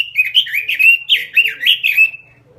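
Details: A robin singing with gusto: a dense, fluty warble of quick slurred notes running for about two seconds, finishing on a level sustained whistle before silence.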